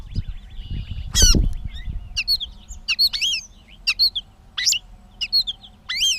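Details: Catbird recorded in Bowdoinham, Maine, 16 May 2020, giving a halting series of separate squeaky, twisting notes and short chirps with pauses between phrases, after a loud burst of noise early on; faint steady hum beneath.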